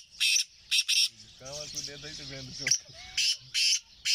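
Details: Black francolin (kala teetar), recorded 20 April 2024: harsh, grating, broadband bursts in quick clusters of two or three, paused midway while a man talks, then resuming loudly.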